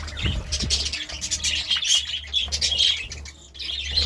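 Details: A budgerigar chirps in the morning, giving quick, high, slightly squeaky notes in uneven bursts, with a steady low background hum.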